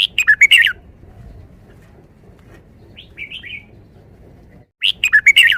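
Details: Five-syllable forest song from a caged red-whiskered bulbul: loud burst of five rich warbled syllables at the start and again at the end, a soft slurred whistle in the middle, steady faint low hum.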